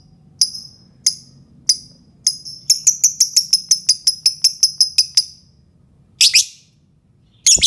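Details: Lovebird chattering meant to get other lovebirds singing: a few sharp high chirps speed up into a fast run of about fifteen rapid ticking notes, followed by two harsh buzzy squawks.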